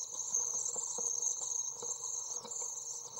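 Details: Nest-box Common Swift chicks aged 24 days during feeding on 23 June 2012: a sustained, high, sizzling trill with slight wavering, accompanied by scattered light clicks and scuffles.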